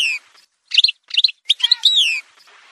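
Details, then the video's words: Brief Algerian goldfinch song fragment in a montage: a falling whistle, then quick clusters of high liquid twitters, ending in a descending slurred note. "تسجيلة مونتاج روعة الكل يلقم العام هذا | chant chardonneret montage"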